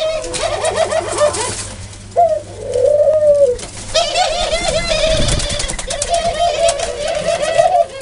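A dove gives low, soft, rolling coos in long phrases that rise and fall, with a faint background hum and some higher chirping.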